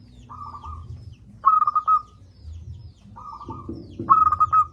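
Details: Local zebra dove singing loudly, used as a lure to get lazy doves calling: four cooing phrases, each a quick stuttered run of clear notes alternating with a smoother, softer coo, over a low rumbling background.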